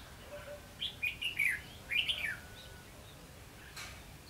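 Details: Red-whiskered bulbul in competitive song at a decoy trapping site, 19 July 2016: two quick bursts of rich, warbled whistles in rapid succession, each rising and falling, followed by a faint distant chirp.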